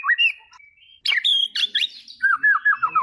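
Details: A white-rumped shama sings a rising whistle and a held tone, then after a pause a cluster of sharp, scratchy upward notes, ending in a fast series of five or six looping, falling whistled notes.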